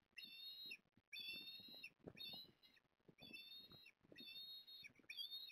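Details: Osprey at Port Lincoln on 14 September 2022, male bringing fish to the female: piercing whistled calls repeated about once a second in a steady series, over soft rustling and knocking sounds.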